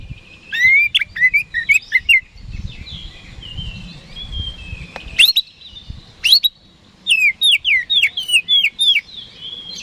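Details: Lure song of the oriental magpie-robin, or kacer, aimed at getting rival birds to respond: varied whistled and chattering phrases, sharp chips, then a lively run of about ten repeated looping whistles, soft background rumble.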